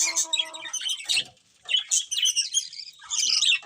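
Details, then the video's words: Several colourful budgies give short bouts of squeaky chirps and harsh chatter, opening with a few tonal notes, with brief pauses between bursts. "Beautiful Colourful Budgies Chirping Sounds"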